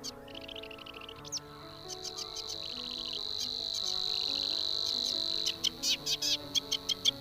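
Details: Savi's warbler singing in a German lakeside reed belt in early spring; a steady, high buzzing reel held for about three seconds, framed by rapid chattering notes, over soft background music.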